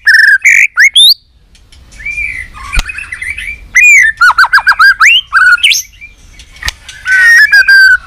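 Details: White-rumped shama in competition fighting song, alternating clear looping whistles with rapid descending trills and scratchy bursts; two sharp clicks and a quieter pause break the phrases.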